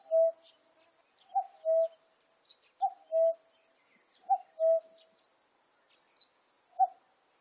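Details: Common cuckoo call: hollow paired notes, the first brief and higher, the second lower and drawn out. They repeat about every one and a half seconds, and the last note stands alone. Faint high ticks and hiss sit behind them.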